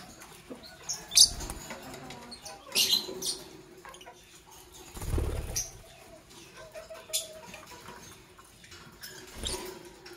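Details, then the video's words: Fischer's lovebirds, Parblue Violet Fischer's and Pastel Green Opaline, in the morning: a few shrill, sharp chirps in short bursts around two to three seconds apart, with soft rustling and low thumps between them. "Relaxing Lovebird Chirping Sounds from Parblue Violet Fischer's & Pastel Green Opaline"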